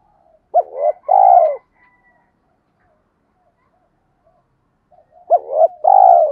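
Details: Spotted dove giving a 'tiếng thúc' call for decoy use to provoke wild doves. Two matching phrases, each a sharp rising-falling note and a long rough descending coo, are separated by about four seconds of near silence.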